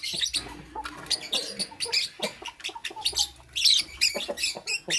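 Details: Lovebird chirping in the morning: a dense run of harsh, sharp, high chirps and squawks that come in quick irregular bursts, with short rasping notes between them and a faint low hum underneath.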